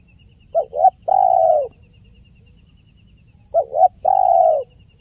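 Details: Spotted dove, lure-style 'kuk 1' calling for trapping: two phrases about three seconds apart, each a pair of quick clipped notes then a drawn-out even coo, on a faint low background rumble.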